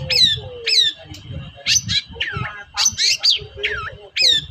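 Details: Long-tailed shrike calling energetically, used as a lure to make reluctant shrikes sing: sharp down-slurred whistles mixed with harsh squawks and scratchy notes, with low background rumble.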